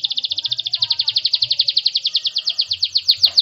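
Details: Canary singing a fast, even trill of high, bright notes, about eight per second, held for over three seconds. A short rising flourish closes the trill, with faint low thumps underneath.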